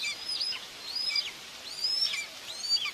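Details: Common buzzards at the nest, Tiszalök, Hungary, 2 June 2024, mother feeding two chicks. Three or four thin, high whistles with falling ends sound through steady hiss.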